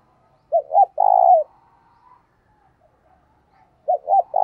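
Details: Spotted dove used as a decoy to draw in wild doves, giving a three-part coo (two brief notes, then a drawn-out vibrating note), followed after a pause by the start of another phrase.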